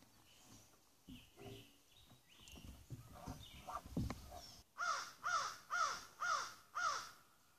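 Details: American crows flying overhead at dawn over a lake on the summer solstice give five harsh, loud caws about half a second apart, amid live bass playing with Common Loon and Gray Catbird in the background.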